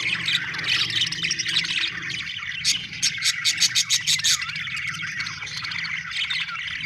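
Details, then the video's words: Budgies chattering busily, a thick wash of twitters and warbles, with a run of rapid clicking ticks near the middle and a soft low rumble in the background. "budgie chirping sound"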